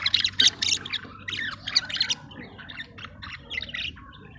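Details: Caged budgerigars mating and regurgitating food, uttering rapid harsh squawks and chirps, about four per second, loud at first and then fading into quieter scratchy warbling.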